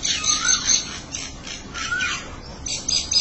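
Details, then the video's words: Mynas talking to each other with harsh squawking chatter and a couple of slurred whistled notes, busy and overlapping, over background hiss. "Mena Birds are talking with each other"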